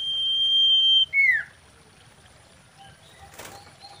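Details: Mating song of a common iora, played to attract and excite other birds: one long steady high whistle drops into a short falling note, followed by a brief burst of wing-like rustling.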